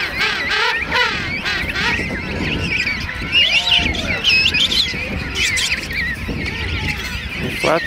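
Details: King Penguin colony of thousands at Right Whale Bay, South Georgia, Christmas morning 2008; loud honking, wavering calls rise above a constant crowd of callers, several distinct trumpeting phrases overlapping, with a faint low rumble beneath.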